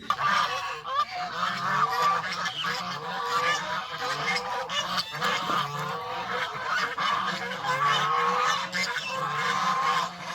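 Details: Domestic geese on a countryside farm, leaving their pen to feed on fresh greens and play in water, keep up a dense, overlapping nasal honking for the full ten seconds, with loud harsh calls rising and falling throughout.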